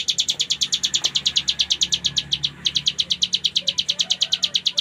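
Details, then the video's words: Cigun (ciblek gunung) singing in full ngebren style: a steady string of sharp, high, clipped notes repeated rapidly, about eight a second, with one short pause midway. Faint low hum underneath. "Cigun Gacor Full Ngebren !!!"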